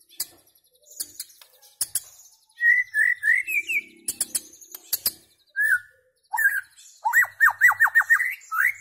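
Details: A white-rumped shama sings scattered sharp ticks, then loud warbled whistles, and ends with a rapid rattling series of about eight downslurred notes followed by a rising whistle.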